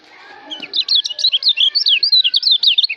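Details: White-eye from Lombok, called kecial, in fast continuous warbling song of high zigzag whistled notes, about a dozen quick phrases within three seconds, recorded as tutor material for songbirds.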